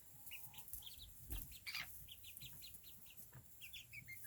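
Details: Mini bantam chickens, a family with young chicks kept at a coop: a steady run of short, high peeps repeated several times a second, soft and faint, over a low background hum and occasional rustling.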